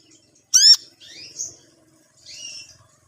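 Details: Long-tailed shrike practising its song: one loud harsh rising rasp is followed by two softer, thinner buzzy notes, then silence.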